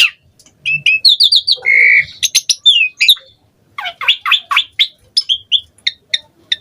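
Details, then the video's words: Asian pied starling song, used as a lure to make other starlings sing: a varied, rich run of whistles, squawks, buzzy notes and rapid chattering phrases, mostly high-pitched, with brief pauses between bursts. "Jalak Suren Gacor Full Isian VARIASI Cocok Buat Pancingan Suara Burung Jalak Agar Gacor"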